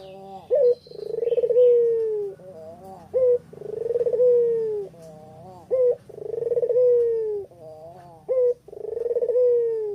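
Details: Spotted dove ('puter pelung') recorded in Kuta, Bali, in the afternoon, used as a lure to set other birds singing: four drawn-out descending coos with fluttering starts, repeated about every two and a half seconds, each preceded by a brief clipped note.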